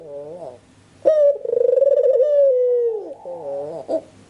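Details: Indoor spotted dove lure call: a soft bent opening note, then a sudden bright coo flowing into a long pulsing, wavering tone that slides down, followed by a quieter rising phrase.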